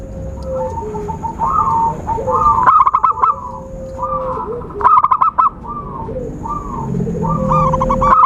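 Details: Zebra dove sound used as a trapping lure: mellow, rounded cooing notes in quick irregular runs, some rising and falling. A lower steady whistle, a faint high constant tone and bursts of clicking rattles run alongside.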